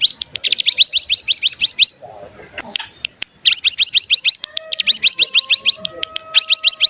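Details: Mountain tailorbird lure recording meant to spur other birds into song: fast series of sharp rising high notes, about eight in quick succession, in several bursts separated by short pauses, over a steady high thin tone.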